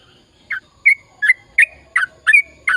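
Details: Sooty-headed bulbul in a long, rapid continuous song style (gacor ropel panjang), used to stir silent bulbuls into singing: short liquid chirped notes, each bending down, spaced roughly every third of a second, over a faint steady thin tone.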